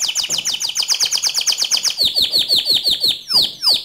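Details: Pure white canary in full, energetic song: a fast run of high downsweeping notes about five per second, shifting to lower slurred notes, closing with a couple of sharp sweeping whistles.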